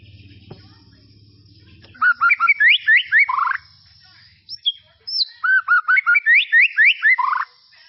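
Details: White-rumped shama singing in tropical forest, a basic master for juveniles: after low humming noise, rapid phrases of rising whistles and chips, a sharp high upslur between them.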